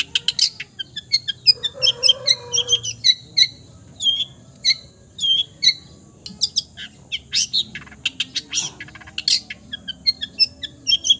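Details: Long-tailed shrike, praised as a sweet-voiced mimic of every bird, pouring out a varied song of high whistled chirps, downslurred notes, sharp clicks and brief trills, with a faint lower buzzy note early.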